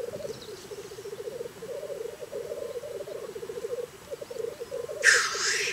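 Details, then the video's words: Black grouse in Scotland on a very cold morning: a dense, low bubbling coo rolls on in quick pulses, then a loud, harsh hissing burst comes near the end. "Black Grouse, Scotland a very cold morning"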